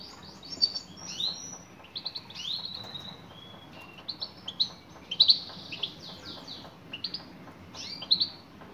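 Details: Female European goldfinch calling to a male: a fast, irregular series of short, high, twittering chirps with bright slurred notes. A faint low hum sits underneath.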